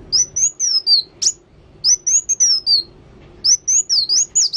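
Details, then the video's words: ['Kolibri wulung sunbird singing actively in fast, bright high whistled phrases of several sliding notes. One harsh high burst occurs between phrases, and a dense final phrase packs many quick notes.'] "Kolibri Wulung Gacor"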